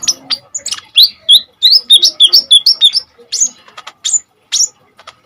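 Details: A vigorous Common iora in 'tembakan' song for training kolibri ninja birds: a quick series of looping whistled notes, near three per second, followed by isolated sharp high chips.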